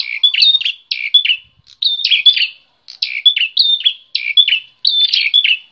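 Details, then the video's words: Aggressive Bar-winged prinia, a wild visitor singing hard, delivers rapid chattering phrases of short buzzy, sliding notes. The phrases come in bursts separated by brief pauses, and the bird is loud and clear throughout. "Prenjak Petarung Gacor Emosian"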